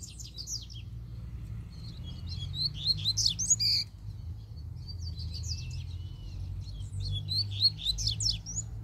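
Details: Wild double-collared seedeater delivering forceful song in repeated phrases of quick, high, twittering and slurred whistles, with short pauses between bursts over a steady low hum.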